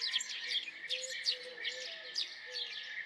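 House sparrows chirping: a busy overlapping stream of short, bright cheeps, several birds calling at once, with a faint low tone beneath.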